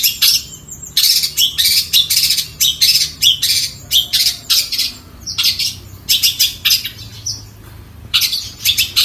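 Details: Long-tailed shrike pouring out loud, rapid, rasping notes in dense runs. Brief pauses separate the runs, and a few whistled accents sit among the harsh bursts.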